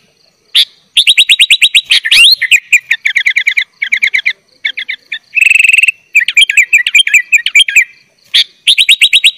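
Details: Sooty-headed bulbul delivering a dense 'gacor full isian' song for training young birds: almost continuous fast chattering trills and rattles, varied phrase after phrase, with one brief high buzzy burst in the middle.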